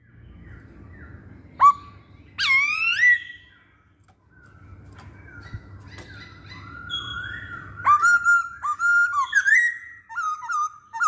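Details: Masked laughingthrush in song, used as a lure for other birds: a sharp upward note and a harsh, descending harmonic-rich cry, a pause, then a fast stream of ringing whistled notes with flicked starts over low hum.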